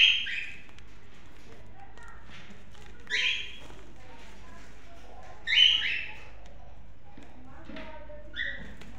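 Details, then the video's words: Pet cockatiels heard indoors making short, harsh, rising squawks about every two to three seconds, with soft human speech and room noise between the calls. "cockatiel birds"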